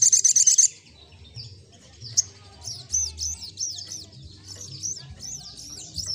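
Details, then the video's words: Olive-backed sunbird singing actively: opens with a rapid, piercing high trill, then after a pause runs into fast looping, swooping high whistled notes strung together in a continuous chattering phrase, with faint low rumbling behind. "SogokOntong Gacor Ngleper"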